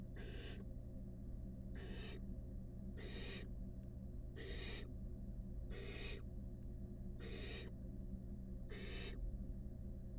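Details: A steady series of seven harsh, snoring hisses, one roughly every 1.4 seconds, from five wild barn owl nestlings snuggling together in a monitored nest box, with a low hum throughout.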